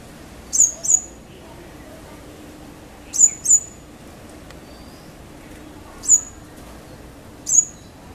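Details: Purple-rumped sunbird (Leptocoma zeylonica) giving very high, sharp, down-slurred chip calls, singly or in quick pairs, every couple of seconds over a soft, quiet background.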